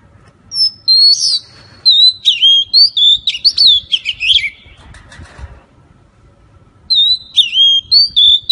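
White-rumped shama singing rich, varied whistled phrases with sharp upslurs and quick twittering notes.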